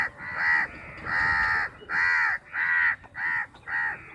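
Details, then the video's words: Crows squabbling over a piece of chapati, about fifty birds: six loud, harsh caws in steady succession, each roughly half a second long with brief gaps between. "crows sound"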